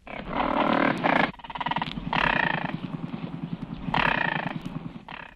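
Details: Crested Caracara (named Audubon's caracara) from a 1961 eastern/central North American bird-song guide gives harsh, grating bursts of rasping calls, three long ones, separated by a low, rapid clattering rattle.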